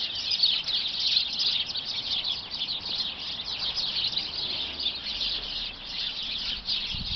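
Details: Inside a bush passed several times a week, some twenty unseen sparrows keep up busy, overlapping high tweeting, a clean chattering wall of sharp chirps throughout.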